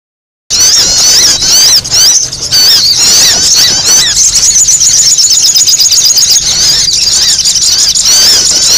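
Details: Sogon, a noisy call recording used for luring birds: dense, loud, high-pitched squeaky chattering with rapid twittering notes running continuously without pause.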